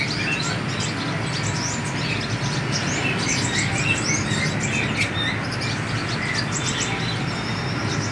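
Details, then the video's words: Seven-coloured sunbird flying loose, a busy stream of thin, high, irregular chirps and ticks, roughly three or four a second, over a noisy hissing background. "hút mật 7 màu thả"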